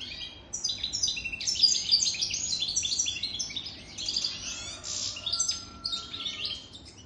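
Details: European goldfinch song from a wild-caught bird older than three years: rapid, energetic bursts of high liquid twitters and buzzy trills, with a short faint whistled tone late on.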